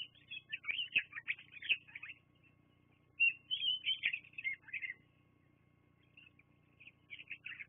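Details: Bald eagles at the Fraser Point nest, filmed by a live nest camera on 24 September 2022 around midday. High, thin chittering and whistled piping comes in bursts of rapid notes, with pauses between them and a faint low hum underneath.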